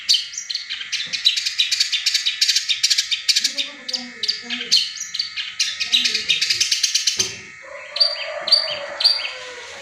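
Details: Dense chattering run from a long-tailed shrike imitating tengkek buto, quick high notes packed together for seven seconds, then a few spaced sharp calls. Background lower chirps. Played to encourage caged birds to start singing.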